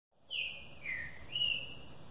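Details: Captive two-time champion male green-winged saltator, 2017 season, ending its moult, sings a brief, clear whistled phrase: falling slurred note, lower note, then rising one, over soft hiss; eight songs in 30 seconds.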